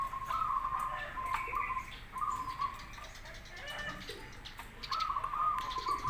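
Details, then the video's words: Zebra dove, local or crossbred bird, singing as a lure recording to prompt answers: several short rolling trilled coo phrases spaced irregularly, with scattered sharp chirps and clicks from other sources in between. "Suara perkutut lokal vs Krosing cocok untuk masteran pancingan langsung Nyaut"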